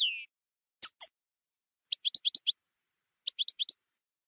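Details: Campero-style song of a European goldfinch, from a 2020/2021 recording: a trailing buzzy note, two sharp high chips, then two short bursts of five or six rapid tinkling notes separated by silence.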